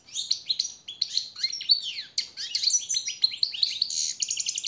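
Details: Captive-training song of a European goldfinch, dense rapid twitters and sliding chirps, ending in a quick even run of repeated metallic notes.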